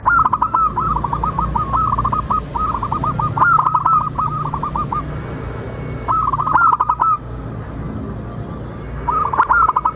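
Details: Local zebra dove singing for a lure meant to draw answering song from others: a long run of rapid rolling coos, then shorter bursts later, each edged with clicking sounds, over a faint steady low hum.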